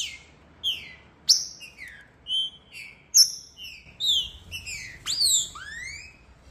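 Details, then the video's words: Green-winged saltator female calling to warm up a male: a run of bright, sharply descending whistles and short chips at varied pitches, closely spaced and sometimes overlapping, ending in a rising-falling slurred note, over near silence. "Esquentando trinca ferro"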